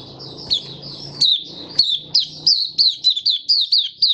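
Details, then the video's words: Captive white-eye, 23 March 2022, warm humid weather: a thin high trill gives way to a series of loud, sharply falling chirps spaced about a third of a second apart, with a low humming background early on. "Mata Puteh Kitaro Video 1 buka sing"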